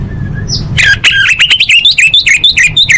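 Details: Orange-headed thrush song played as a lure to encourage caged birds to sing. A brief whistle leads into a fast, even series of bright, downward-slurred notes, about three per second at the end, with low background hum.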